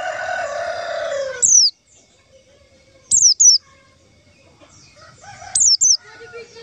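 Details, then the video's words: Trapping lure call of white-eyes: high, thin downslurred notes, first single, then given in quick pairs, after a louder noisy sound at the start. "suara panggilan pleci untuk pancingan pleci"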